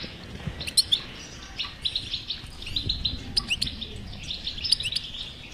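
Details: European goldfinch in song, played so that a silent goldfinch will start singing: rapid chattering twitter with buzzy phrases and crisp, clicking high chirps repeated throughout.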